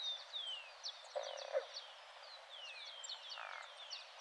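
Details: Croaking ground dove, a small dove. Two short, rough, croaking bursts about two seconds apart. Thin, high, downward-slurred whistles from other birds are heard throughout.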